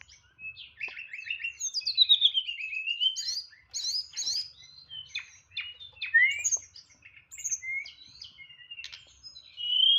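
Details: Caged white-rumped shama singing loudly in nyeklek style with full varied fill: descending whistled glides, sharp clicking bursts, and fluid rising and falling notes.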